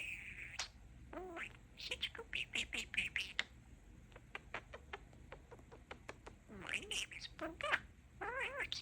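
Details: Pet talking budgerigar chattering in soft, raspy mimicked words mixed with bright chirps and warbled whistles, a run of rapid clicking ticks in the middle, then more chatter.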